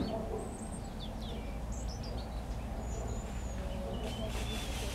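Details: European robin singing in the Jardim da Devesa garden at Pedrógão Grande, 2014: thin, high whistled phrases and short descending trills, scattered through the clip, over a steady low rumble of background noise.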